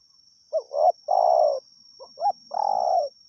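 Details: Wild spotted dove heard while decoying, calling two phrases of a stuttered coo leading into a long hoarse croo, low and mellow, with a soft continuous whine above.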